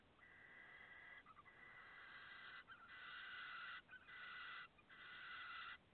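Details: Five late-hatched barn owl chicks, 14 August 2017, give long, harsh, breathy hisses of about a second each, one after another with brief gaps, several voices overlapping.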